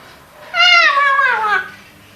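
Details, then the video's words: Pet Eclectus parrot, five years old, mimicking things heard around the house. One drawn-out, voice-like sound lasting over a second, gliding slowly downward, recorded indoors. "Eclectus Parrot Talking"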